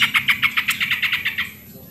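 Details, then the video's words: Yellow-vented bulbul in an original recording used to stimulate silent birds: a single quick series of about ten evenly spaced, bright chattering notes that ends abruptly. "suara original burung trucuk pancingan trucukan yang malas bunyi"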